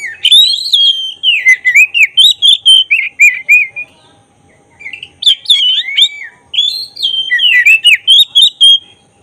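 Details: Singing black-breasted magpie-robin (kacer dada hitam), a lure meant to stir emotion and tail-opening. Two long bursts of fast, clear whistled notes, rising and falling in quick succession, broken by a pause of about a second.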